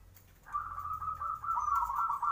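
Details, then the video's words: Zebra dove singing in the morning as a lure song meant to prompt other doves to answer; a run of rapid, bubbly cooing notes around a steady mid pitch, starting after a quiet half second and continuing to the end. "PANCINGAN SUARA PERKUTUT,WAKTU PAGI HARI,BIKIN YANG LAIN NYAUT..."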